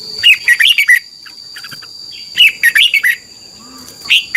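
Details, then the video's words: Thailand red-whiskered bulbul singing a doubled-phrase training song meant for young cage birds to copy. Fast jumbled run of sweet warbled notes, a pause with faint chirps, then another hurried phrase, with a constant high whine behind. "นกกรงหัวจุก, 30 นาทีทุกเช้า เพื่อให้นกเรียนรู้ที่จะพูดได้อย่างรวดเร็วและหนักแน่น"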